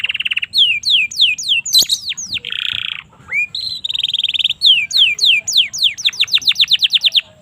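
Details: High varied canary song for tutoring young birds, mixing repeated downslurred whistles, a short buzzy roll, rising notes and an accelerating series of clear slurred chips near the end.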